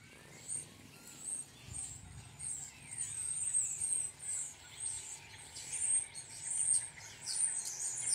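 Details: Starling flock gathered in a tree, a dense chorus of thin high whistles and squeaky chirps overlapping continuously, with soft rushing background noise.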